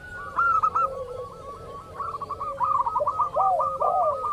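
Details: Zebra dove of a local strain, recorded as a lure for rival birds, gives a quick string of short clipped coos that grows louder near the end, over a lower, sliding coo.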